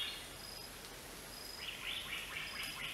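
Greater racket-tailed drongo giving a rapid string of short, arched, metallic notes in the second half, over thin, steady high insect tones.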